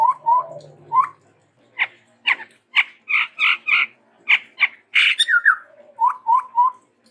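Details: Chestnut-rumped babbler, a bird endemic to Sumatra, singing a lively varied song: clear rising whistled notes, then a run of rapid buzzy chattering bursts, ending with repeated short upslurred whistles.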